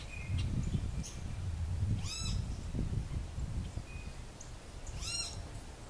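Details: Altamira oriole feeding on an orange, Texas, February 2015: two rasping chatter calls with stacked upswept notes, three seconds apart, amid soft high chips from other birds and constant low road noise.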